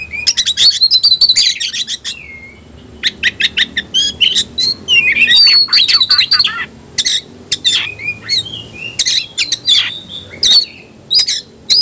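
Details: Oriental magpie-robin provoked into a fighting 'ngobra' song: fast trilled runs of high notes, squeaky slurs and rasping bursts, delivered in long intense volleys with brief gaps.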